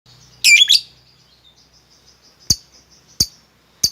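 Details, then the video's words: Pet lovebird, played to coax a quiet bird into singing, gives a burst of harsh, shrill chirps followed by sharp isolated clicks about every second, with faint high twittering between. "lovebirdmu loyo malas bunyi jadi gacor ngekek panjang seketika dengan pancingan ini"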